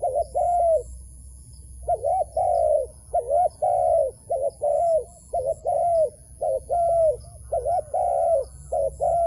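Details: Wild doves at a trap coo in soft, hollow, arched notes, one after another with only brief gaps, with a faint, steady high whine underneath.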